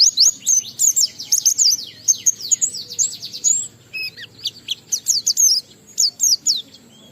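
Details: Ngalas-style song of an Oriental white-eye, played to get other white-eyes singing: dense bursts of high, sharp twittering notes with quick downward slurs, a short pause, then more clipped chirps.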